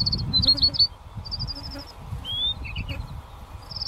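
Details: An adult Chestnut-breasted Whiteface preening on the Strzelecki Track, 14 September 2013: high, thin twittering notes in quick rattled bursts and short sliding whistles, over a low rumble of wind.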